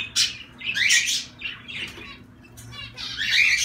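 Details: Zebra finches giving a few loud, buzzy nasal calls in separate bursts, a quiet gap in the middle, then a louder rasping burst at the end.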